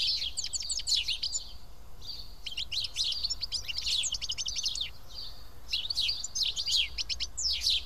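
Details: Several house sparrows feeding together in Karyotissa, Greece, give dense bursts of sharp, overlapping chirps and tweets, coming in clusters with brief lulls, with a steady low background hum.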